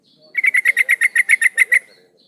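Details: Female sooty-headed bulbul calling a male, used as a lure: one long, steady run of about eleven rapid, sharp chattering notes delivered evenly in just over a second.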